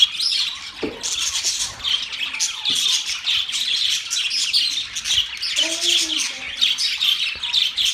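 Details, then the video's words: Pet budgerigars chirping and warbling in a continuous high chatter, with a brief lower squeak near the start and a short lower tonal note around the sixth second. "Budgies singing | Budgies sounds | Budgies talking | Budgies chirping sounds"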